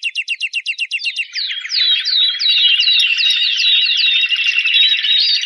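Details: Timbrado canary of competition standard, scored 83 points: a run of rapid repeated notes opening into a long, smooth, rolling warbled trill without pause.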